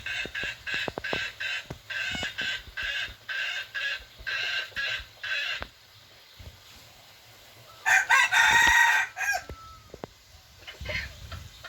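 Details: F2 junglefowl cock; a run of about a dozen evenly spaced harsh, buzzy call bursts fills the first half, followed after a pause by a single loud, rasping crow, with light clicks and rustling around it.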